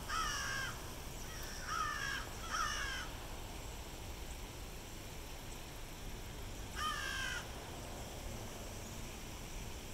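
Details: Crows calling beside a fountain at the University of South Carolina Beaufort on Hilton Head Island, SC: three harsh, nasal caws in quick succession, then a pause and a fourth caw, over a steady wash of background noise.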